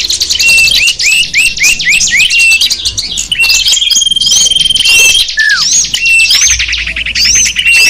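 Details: Lure recording of many small birds chirping, meant to attract wild small birds: dense overlapping high twittering, with repeated short rising whistles, trills and a long steady high whistle near the middle, continuous throughout.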